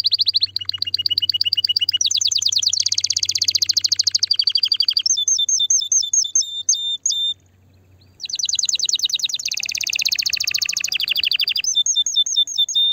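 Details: Canary singing to encourage mating in a female: varied trilled tours, high rapid rolls, buzzy dense passages and clipped repeated notes, a short silence, then the rolling trills resume.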